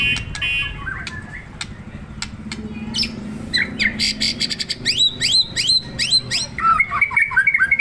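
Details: White-rumped shama kept caged and stirred up to sing: sharp clicks and ticks at first, then a burst of rapid high downslurred notes followed by loud repeated whistled phrases.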